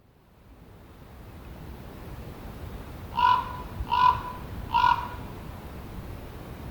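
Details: ['Common raven: a quiet stretch of low hiss, then three clipped, gravelly croaks in steady succession near the end, each brief and flat in pitch.']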